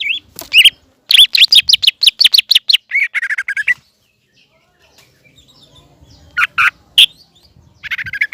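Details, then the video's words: Green leafbird in vigorous song aimed at provoking a juvenile spotted leafbird; dense rapid volleys of sharp whistles and chips, then a quiet gap before a few loud isolated notes and another chattering run. "CUCAK IJO GACOR MEMANCING CUCAK IJO TROTOL AGAR EMOSI DAN PANAS"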